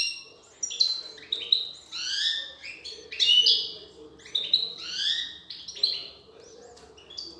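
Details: Female European goldfinch feeding her young; dense run of high twittering and buzzy call notes in short bursts, with faint thin whistles between and a soft low background hum.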